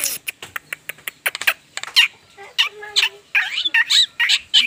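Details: Javan myna, recorded without editing: quick sharp clicks give way to loud harsh squawks and grating chatter, some notes sliding downward, in uneven bursts.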